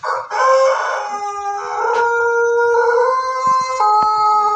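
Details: Laughing-style crow of a Pelung Bangkok chicken, 17 May 2024: a long, sustained, strongly harmonic crow held for about four seconds, steady in pitch with slight steps downward, a few faint knocks underneath.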